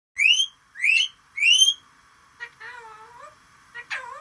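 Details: Parrot imitating cat, chicken and human whistles: three loud rising whistled notes about half a second apart, then softer wavering, mewing tones and a short harsh rising squeal.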